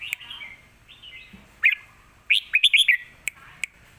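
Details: Red-whiskered bulbul kept in a cage, giving lak wai style song used as a model for young birds: a soft warble, then a lively run of five or six bright, rising and falling whistled notes.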